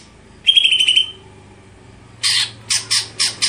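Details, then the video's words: Greater green leafbird produces a short buzzy trill, then after a gap a series of five rough, harsh chattering notes in quick succession. "Apakah Stelan Cucak Hijau Bisa Di Patenkan"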